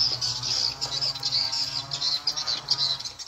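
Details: Swiftlets reacting to the SP Tripel Queen attraction sound: fast, high, rattling chirps pulse in quick succession, with a faint low hum underneath.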